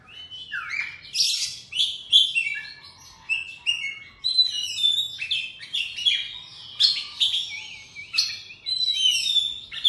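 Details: An Oriental magpie-robin sings at morning, pouring out a fast, continuous stream of sweet whistles, trills and sharp chirps with rising and falling notes, hardly pausing.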